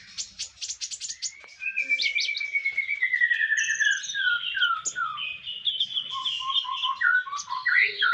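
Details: Master song of a konin for bird keepers: buzzy high chatter at first, then a long chain of falling whistled slurs and twittering phrases.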